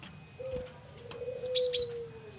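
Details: Male cinereous tit (gelatik batu) kept as a lure bird gives a quick burst of three high whistled notes, while a soft, steady low coo-like tone drones beneath.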